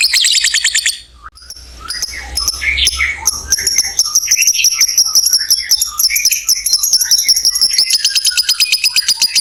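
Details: Lovebird giving a long trill used to stimulate other lovebirds: a sustained, very fast ticking chatter of high notes running nearly nine seconds, over a steady whistled tone.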